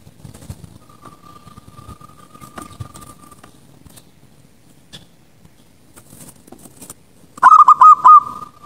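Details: Zebra dove song at night, used to coach young birds and draw them into singing. A long, faint steady tone and light rustles come first, then a loud rolling phrase of about four quick cooing pulses closes the recording.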